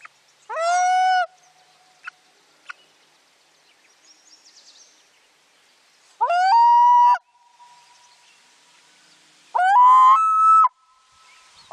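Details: Common loon mother alerting from her nest platform on a lake after spotting something, while her second chick hatches beneath her, 9 July 2023; three loud quavering, harmonic-rich calls, each under a second, spaced several seconds apart over quiet background.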